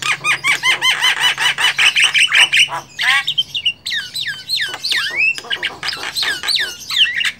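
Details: Wild Javan myna chatter: fast repeated harsh notes and clicks, then looping whistles that sweep up and down between squawks, busy and irregular, with a faint low hum.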